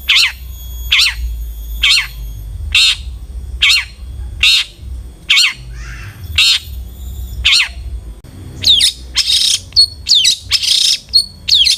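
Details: Long-tailed shrike calling as a lure for other shrikes to sing: a regular series of harsh scratchy notes roughly every second, then a quicker jumble of rasps and whistles toward the end.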